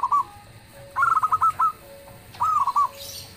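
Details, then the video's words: Local zebra dove in loud song that gets other birds answering: a clipped note, then a rippling series of cooed pulses and a shorter rolled phrase, with faint high chirps at the close. "suara perkutut lokal gacor_dentuman suaranya bikin yg lain nyaut"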